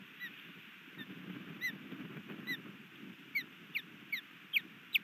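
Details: Osprey at a nest near Hellgate Canyon, Missoula, Montana, on 3 May 2020, as a new male lands and attempts to mate with the resident female. Sharp downslurred whistles, spaced at first, then quickening and louder, over a low rumbling hum.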